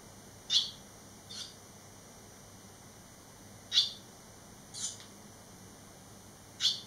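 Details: Three barn swallow fledglings, eleven days after fledging, back at the site; scattered single high chirps every one to two seconds, alternating louder and softer notes, with long quiet gaps.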